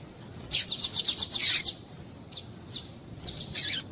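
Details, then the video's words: Male double-collared seedeater singing with a female calling, played to warm up and stimulate a bird to sing: a fast series of bright high notes, then a few spaced chirps and a final burst. "ESQUENTAR COLEIRO TUÍ-TUÍ COM COLEIRO TUÍ-TUÍ E FÊMEA CHAMNDO"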